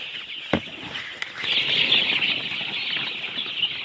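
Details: Baby chickens chirping together: a dense, continuous chorus of thin, high peeping notes overlapping without pause, with a couple of brief knocks near the start.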